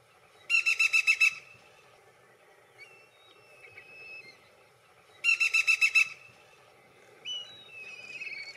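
A black-rumped flameback gives a quick, harsh rattle of about six high notes, repeated after a pause of several seconds; faint calls of other birds follow.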